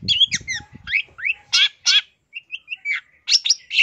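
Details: Full-isian masteran of the cendet or long-tailed shrike, 2023: varied rising whistles, downslurred notes and harsh chirps, then a short series of soft chips, with low thumping sounds at the start.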